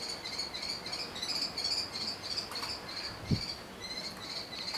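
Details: Young common kestrel in a cemetery tree calling for food: a continuous, slightly wavering high-pitched series of harsh notes with a lower harmonic band, running almost unbroken through the whole stretch, with one brief low thump near the end.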